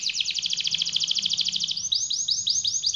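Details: Canary in full song, a long rolling performance meant as a master tutor for other canaries: fast even trills of stacked notes around 3–6k, then a series of sweeping downward-curving whistles repeated rapidly, bright and continuous.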